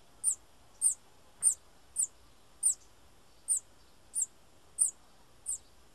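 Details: Bananaquit repeating thin, very high tsit notes around ninety per minute, slightly irregular, with a soft background hiss.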